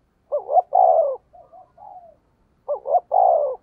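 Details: Decoy spotted dove with a deep 'thổ' voice giving 'thúc gù' coos: a quick rising double note and a long, falling coo, quiet burbling notes, then the same phrase repeated.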